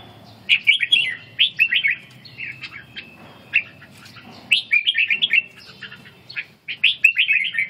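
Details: Red-whiskered bulbul trained for ché song while recovering strength. It sings repeated short bursts of quick, slurred, bright notes, with a few isolated chips between the phrases.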